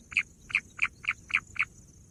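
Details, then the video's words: Bush quail giving six short, rich chirped notes, evenly spaced about every quarter second, against a faint constant high hiss. "bush quail sound"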